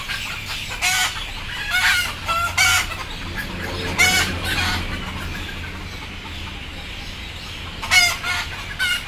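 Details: Scared, drowsy chickens about to go on board give clusters of rough squawks early and late, with a quieter lull in between filled by flock murmuring and low rumble.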